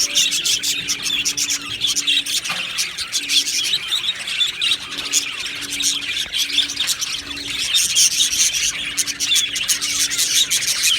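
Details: Happy budgerigars kept as pets, chattering as a group: dense, continuous overlapping high chirps, squeaks and warbles with no pauses, over a faint steady low hum that comes and goes.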